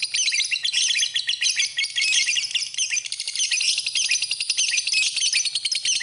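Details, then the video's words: Masteran lovebird chatter: a sustained wash of piercing, rapid chirps and buzzy trills, dense and unbroken throughout. "Kicauan Burung, Love Bird, Masteran Love Bird"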